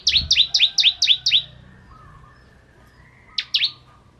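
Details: Bar-winged prinia, crystal variety, singing for shama training: six quick, sharp, paired-sounding chirps, a pause with faint thin notes, then two final chirps.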